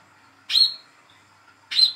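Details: Hand-raised young olive-backed sunbird giving lure calls for a silent captive bird: two sharp, high chirps with slight descending tails, about one and a quarter seconds apart.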